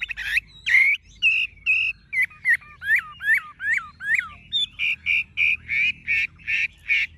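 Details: Chinese hwamei, a tame caged bird with golden legs, bill and plumage, singing tirelessly: loud rich notes, a run of drooping whistled slurs repeated five times, then a steady train of strong, even notes.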